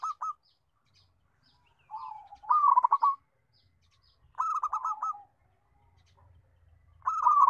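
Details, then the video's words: Melodious local zebra dove with a strong voice gives low soft coos leading into loud, rapidly pulsed rolling phrases, three phrases in close succession. "Kutut Lokal Suara Besar MERDU"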